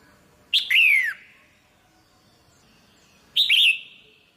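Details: ['Female red-whiskered bulbul, a cage bird, calling to excite a male: two short, sharp chattering bursts about three seconds apart, each opening with a harsh click and sliding downward, over quiet background.']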